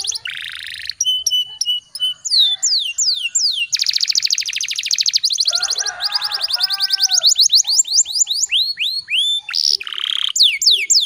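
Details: Domestic canary in full, long rolling song used to prompt other canaries to sing: rapid trills of descending whistled sweeps, buzzy rattles and fast repeated notes flowing without pause.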